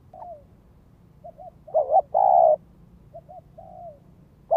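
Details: Spotted dove lure calling in the gáy gọi, thúc, kích bổi style: broken, softer low cooing notes, a short wavering coo followed by one loud sustained coo, with faint coo fragments before and after.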